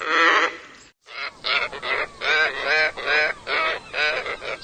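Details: Scarlet ibis giving harsh, nasal honking calls in quick irregular bursts, each a buzzy harmonic note, after a brief pause continuing in a rapid series of about eight grating honks.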